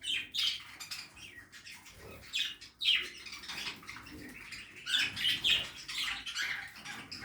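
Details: A backyard aviary where budgerigars are feeding: soft, scratchy chattering and occasional sharper squeaks, rather quiet, with some rustling underneath.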